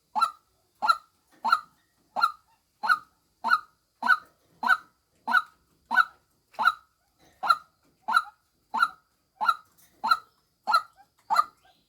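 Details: A long even sequence of some eighteen nasal, croaking honks from a female white-breasted waterhen, each note brief and spaced about 0.65 seconds apart, background silent.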